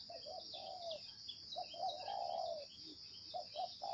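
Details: Spotted dove cooing, 'gáy gù' style: paired short coos, a sustained falling coo, then a longer rising-and-falling drawn note, ending with quick short coos, set against an unbroken shrill background tone.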